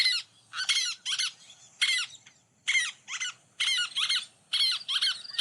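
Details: Least tern, a state-threatened beach-nesting species in Connecticut: shrill, high, squeaky chattering notes in quick bursts, about one a second, some run together like the typical keek-kitty call, with various other calls mixed in.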